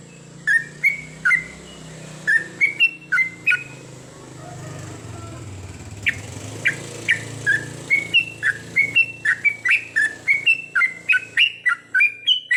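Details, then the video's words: Sooty-headed bulbul singing at night, goklik training song: phrases of quick bubbly whistles that grow denser and faster toward the end, with a low rumble like passing traffic in the background. "terapi trucukan di malam hari ‼️agar mudah nropel goklik panjang!!"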